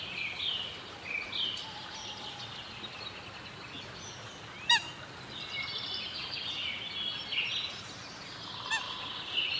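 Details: Coot chicks on a river give thin, high peeping squeaks, some rising and some falling, in loose overlapping runs, with a few sharp clicks and a soft outdoor hiss behind.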